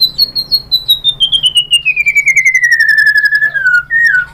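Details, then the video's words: White-rumped shama song used as a lure to make other shamas reply: one long pure whistle sliding steadily down from high to mid pitch over about four seconds, ending in a short higher whistled note, with a faint low hum behind. "MURAI BATU lain jadi NYAUT ikut BUNYI GACOR BONGKAR MATERI ISIAN ¦ PANCINGAN MURAI SHAMA BIRD"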